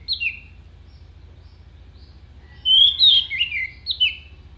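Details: Orange-headed thrush singing sharp mimicry phrases used as contest song fill-ins: a quick double whistle, a pause, then a fast jumble of high slurred whistles and chirps.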